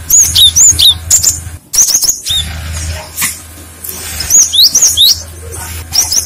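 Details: Cinereous tit (gelatik batu) song used as a lure, with other birds answering. Bright, high, sharply rising chirps and short whistled slurs come in quick bursts. A steady low hum runs underneath.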